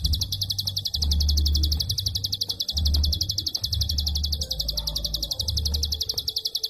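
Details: Prinia giving a long, tightly packed klik call: a fast, nearly unbroken stream of sharp high ticks with hardly any pause, over a steady low rumbling hum that comes and goes.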